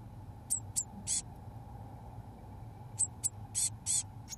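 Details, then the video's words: Eurasian blue tit chicks, 17 days old, in a nest box, being fed mealworms by both parents; thin, very high squeaky begging notes in short bursts, grouped early and again near the end, over a steady low hum. "Cyanistes caeruleus Chicks fed on mealworms by both parents"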